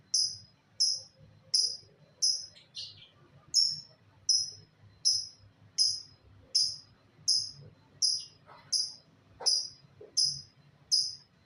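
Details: Lovebird giving sharp, very high chirps that drop slightly in pitch, repeated steadily about every half second throughout, with a faint low hum behind.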